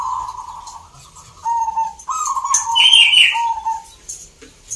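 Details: Zebra dove cooing at a singing competition in Salatiga, Central Java: steady low coos from competing birds, then a sharper, brighter higher note cuts in midway, over faint event background.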